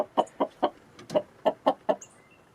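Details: Snowy yard scene with hens pecking and roosters nearby; about eight crisp, evenly spaced clucks over two and a half seconds, fading at the end with a faint thin whistle.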